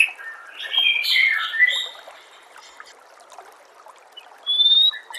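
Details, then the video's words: White-rumped shama song compiled as a masteran training recording for murai batu: loud varied whistled and buzzy phrases, then a pause with a steady hiss like trickling water, and a final clear high whistled note. "MASTERAN SPESIAL TAHUN INI AUDIO JERNIH KOMPILASI MEWAH UNTUK SEMUA JENIS BURUNG MURAI BATU"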